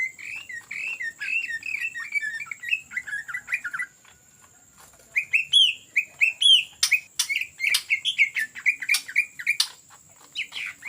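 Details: Greater green leafbird in ngetrok song used as a lure: bursts of quick, varied whistled and chattering notes, a brief pause near four seconds, then louder rising slurs and sharp clicks over a constant faint high whine.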